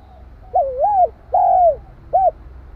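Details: Spotted dove cooing to provoke another dove: one close, clear phrase of a wavering two-part coo, a long gently falling coo and a short final note, over a low hum.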